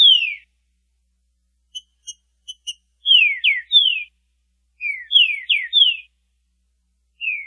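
A Green-winged Saltator sings loud, clear downslurred whistles in short bursts, after a few soft, quick chips. The background is otherwise silent.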